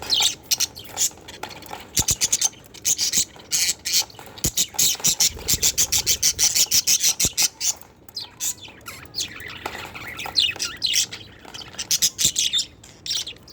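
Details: A budgerigar playing with a mirror chatters steadily in fast, scratchy, high-pitched chirps and warbles.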